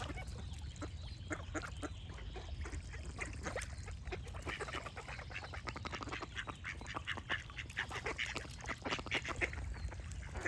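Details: Duck quacking amid a busy chorus of singing birds, with rapid clicking chirps and steady low rumbling background noise throughout.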